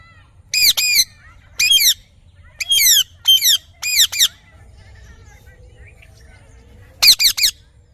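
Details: Parrot calling in bursts of harsh, ringing squawks with stacked harmonics, grouped in twos and threes, a quiet pause, then another short triple burst near the end.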